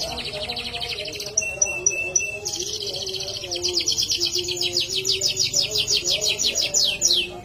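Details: Canary in full song: a buzzy high trill and spaced whistles, then a long series of rapid pulsed rolls repeated several times a second, over a soft low background hum.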